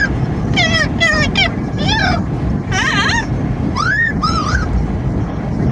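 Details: Amazon parrot riding in a car, making noise in the wind: a series of squawks and looping whistled calls over steady loud wind and road rumble.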